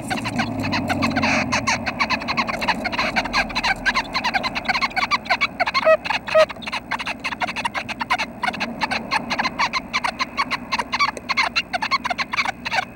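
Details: Nuthatch calls at a nest at 6:30 am on 25 May, when the nestlings may be about to fledge: a steady run of short, raspy, clicking notes repeated several times a second, with a faint low rumble at the start.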